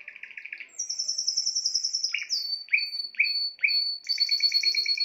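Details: Spanish timbrado canary song mixing a fast lower rolling trill, a high ringing rattle, a series of four or five separate sharp downslurred notes, then a renewed rapid bubbling trill with a high overtone.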